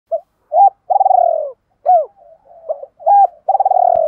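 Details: Decoy spotted dove from Hai Hau, Vietnam, calling to lure wild doves: short hooked notes near 600 to 800 and a longer rolling, pulsed coo falling in pitch, repeated twice with soft murmurs between.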